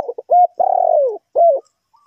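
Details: Spotted dove phrase from a trapping session: clipped introductory notes, a short coo, then a long purring coo that drops in pitch, and a final shorter falling coo.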